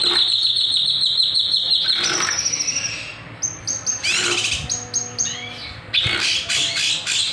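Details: Kinoy singing gacor with nembak and sharp beset, meant as a lure or master recording: a steady buzzing trill for two seconds, then scattered high piercing notes and short rattles.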